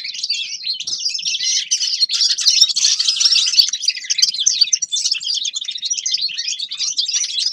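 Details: Grey-crowned goldfinch singing a steady, fast twitter of high jingling notes and short buzzes, unbroken throughout.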